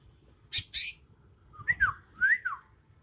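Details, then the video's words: Natural song of a young Bornean leafbird, not yet mimicking: two high buzzy notes, then two slurred rising-and-falling whistles. "Suara asli alam cucak ijo kalimantan"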